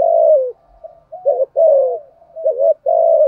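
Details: Spotted dove lure bird cooing to provoke rivals: long falling coo, softer murmur, then a quick double note and another drawn-out coo, repeated in a slow, uneven rhythm.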